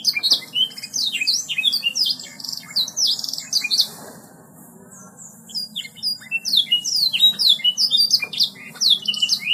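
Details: Bright, rapid canary song in gacor style: rolling series of high whistled sweeps and clipped chirps. There is a short lull near the middle before dense twittering picks up again. A faint hum runs throughout.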